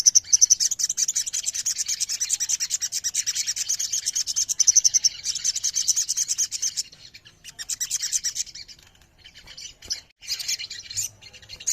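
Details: Chorus of ruby-throated myzornis, an ombyokan therapy track to prompt birds to sing. Continuous high, shimmering chirps run for about seven seconds, then thin to scattered broken phrases.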